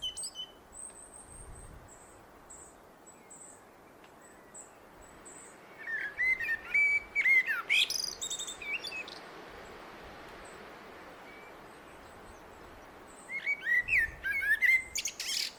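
Common blackbird sings two unhurried phrases, each a mellow fluted warble ending in a squeaky high twitter, after a run of thin, high repeated notes from another small creature.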